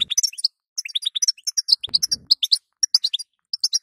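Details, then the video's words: Female European goldfinch calls, played to stimulate a weak male: rapid bursts of high, bright twittering notes with short pauses, some rising slurs, and a few soft low knocks. "هذا ستسته وبتبته المخصصه للحسون الضعيف"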